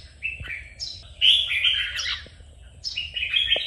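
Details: Red-whiskered bulbul song for training a bird to sing: a short whistled phrase, then a loud, rich warble of slurred notes, ending with another bright phrase.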